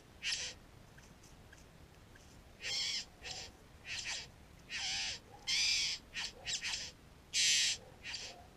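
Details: Satin bowerbird at a bower on a neighbouring property, recorded by GoPro Hero 3: scratchy, hissing churrs of varying length, spaced irregularly over about eight seconds, some louder and buzzier than others.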